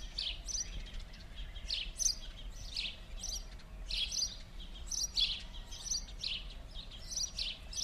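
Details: House sparrow at winter play on rue Gordon, Verdun, Montréal, 16 January 2016: a steady stream of short, bright chirps in loose bursts, some overlapping, continuing throughout over a low, constant background rumble.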